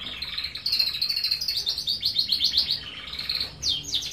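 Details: Yellow domestic canary singing vigorously: a continuous run of rapid, high, rolling trills and quick repeated chirps, shifting pitch and pace throughout, with a brief pause before a final sweeping phrase.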